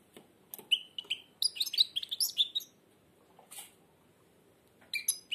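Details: Blind caged European goldfinch singing with its beak almost closed, indoors: short bursts of high twittering and buzzy chirped notes, quiet gaps between phrases, a man's voice urging it on before.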